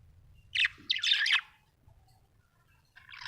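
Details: Happy budgerigar chattering in a cluster of raspy, high warbled notes, then falling quiet before a final bright chirp, over a faint low hum.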